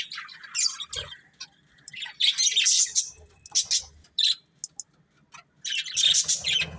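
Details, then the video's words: Budgerigars of a breeding pair in bursts of high chirps and squeaky warbles separated by short pauses, with soft low knocks. "Cute Budgies Chirping Sounds"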